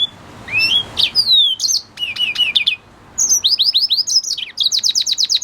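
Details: Red siskin, the Venezuelan cardenalito, singing: high bright twittering, a slurred rising whistle, then fast descending buzzy notes and a rapid run of repeated sharp chirps. The background is otherwise clean.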